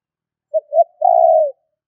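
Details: Spotted dove luring call: one phrase of a short coo, a second soft coo, then a drawn-out burry coo that sags in pitch at the end, heard cleanly against silence.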